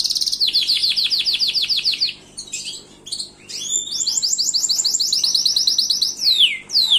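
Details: Gloster canary delivering rolling trills: a long run of quickly repeated descending notes, a brief pause, then a second fast rising trill and closing sweeps.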